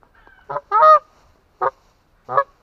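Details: Atlantic Canada goose giving a deep honking call: four harmonic-rich honks, the second longest and loudest, separated by short silences in an otherwise quiet setting.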